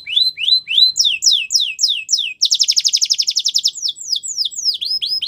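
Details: Canary song used to encourage canaries to sing: a series of rising then falling whistled slurs, a dense rapid high trill in the middle, then more swooping downslurred notes.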